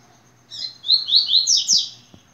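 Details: Yellow-bellied seedeater song in the "tui tui" style: a brisk string of about six piercing, down-sweeping whistles, climbing higher at the close, with a low electrical hum and a couple of faint taps.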